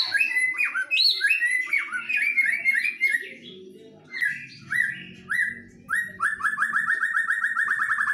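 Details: White-rumped shamas from Medan and Nias forest in a singing duel: varied whistled and chattering phrases, then a rapid run of about a dozen identical sharp notes repeated in quick succession near the end.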